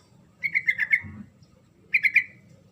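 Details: Sooty-headed bulbul singing to draw a reply from a silent bird: two bursts of rapid, bright chirping notes, the first of five notes, the second of three, with a low rumble in the background.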